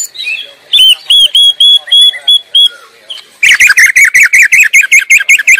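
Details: White-rumped shama singing in the wild: a steady string of clear whistled notes, then a fast rhythmic series of about fourteen rich, looping chirps.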